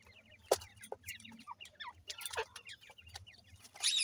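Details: Grey francolin female with chicks while feeding them: a busy run of short high chirps and rising peeps, several per second, with sharp clicks and a steady low hum behind.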